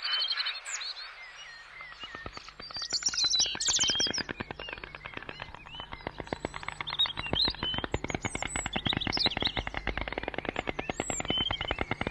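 White stork giving a fast, dry, wooden rattle of clicks, several per second. Smaller birds chirp and twitter high above throughout.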